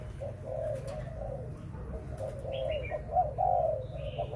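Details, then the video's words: Breeding spotted dove cooing in low, mellow phrases, with a brief higher chirping from another bird midway and a low background hum. "Cu gáy sinh sản"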